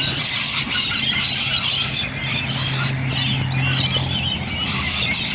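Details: A flock of rainbow lorikeets in Bonnyrigg fills the air with continuous shrill, grating screeches and chatter over a steady low engine-like hum.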